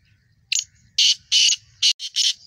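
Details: Harsh grating call of a young male black francolin in its first season: a brief opening note, then two long rasping bursts followed by three shorter ones, against a faint continuous insect trill.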